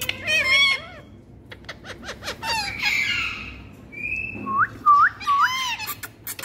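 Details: Pet ringneck parakeet in India giving a mix of harsh harmonic squawks, clear whistled notes and short upward-sweeping chirps, with loud irregular bursts and brief pauses between them.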